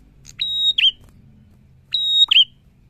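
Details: Two prinia phrases about one and a half seconds apart. Each opens with a clipped note, holds a bright, high whistle, and finishes with a lower, slurred twang.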